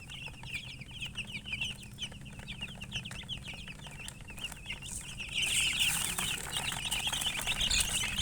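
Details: Colour chickens chirping alongside a hen: a dense stream of short, high, falling peeps, several overlapping at once, about three per second, with a hissing, rustling burst in the second half.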